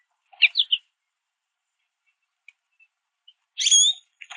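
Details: American goldfinches feeding on sunflower seeds at backyard feeders, calling as they eat: three quick sharp chirps, a quiet gap with tiny notes, then a loud complex chirp and a brief twitter.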